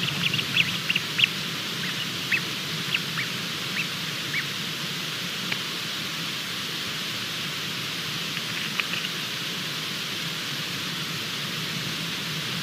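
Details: A Bermuda petrel (cahow) chick mid-hatch, at 23:14 on 28 February 2020, gives faint, short high peeps in loose bursts, busy at first and again later, over a steady hiss.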